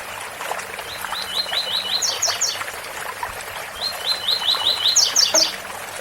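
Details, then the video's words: Rusty-collared seedeater giving two 'tui tui' style phrases, each a quick series of rising whistled notes followed by three higher, sharper notes, against the constant roar of a waterfall. "Coleiro Tui tui bitola com som de cascata"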